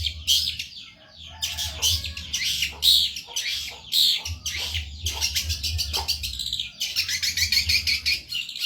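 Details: Long-tailed shrike in a very gacor cendet tutor recording: dense scratchy chatter and quick rattling bursts, varied and unbroken, over a steady low droning hum.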